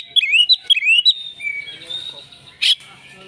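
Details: Oriental magpie-robin in a fighting mood: two quick rising whistled phrases, then a fading trailing note and a single harsh burst.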